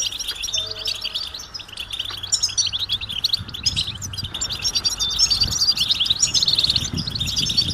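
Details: Massed European goldfinch calls, described as mating and readiness calls that rouse males into song: busy high twittering and liquid chips from many birds, steady and unbroken, with soft low rumble beneath.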